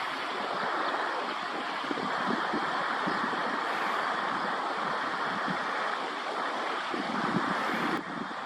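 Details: Steady rushing wind and broadband outdoor noise fill the recording, with no animal voice heard.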